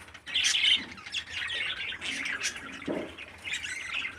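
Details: A loud scratchy squawk burst opens, then softer rasping chatter follows from a captive 13-day-old parakeet chick. A brief low knock is heard near the end.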